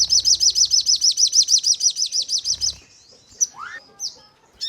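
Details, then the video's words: Crimson sunbird lure song meant to make birds answer with full 'nembak' singing. Opens with a steady, rapid series of about sixteen sharp downslurred ticks, followed by a rising squeak and scattered high chips. "Burung Sogon Untuk Pancingan Dengan Nembak Dan Ngleper"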